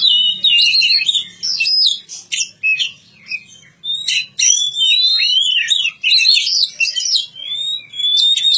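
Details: A cared-for kacer, or Oriental magpie-robin, delivering bright whistled phrases and rapid warbles, some notes sweeping up and down, separated by short silent gaps.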